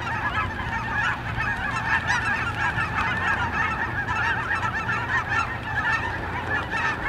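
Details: Geese on migration at Brookwood Park: a continuous mass of overlapping nasal honks from many birds, with a constant low hum underneath.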